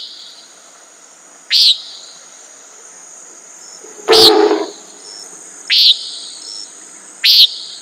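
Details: Four short buzzy nasal calls from a common nighthawk, spaced about one to two seconds apart; the second is rougher and fuller. A thin high insect drone runs throughout.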